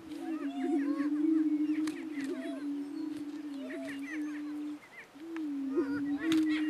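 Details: Two male Greater Prairie-chickens battle for dominance on a lek in northeast Kansas: a steady, low, hollow moaning drone beneath overlapping sharp cackles, whoops and squeals.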